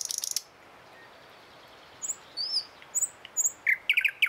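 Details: In the morning a thrush nightingale ends a dry rattle, falls quiet, then gives soft, high, slurred whistles followed by a series of sharp, clipped chips and stuttering notes.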